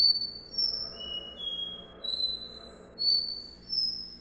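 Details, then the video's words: Copper seedeater (Sporophila bouvreuil), a "do-re-mi" song type from a real bird, not a machine: a run of clear, pure whistled notes, each held about half a second, stepping between high and higher pitches over a faint low hum. "CABOCLINHO VERDADEIRO - Sporophila Bouvreuil - CANTO DÓ RÉ MI"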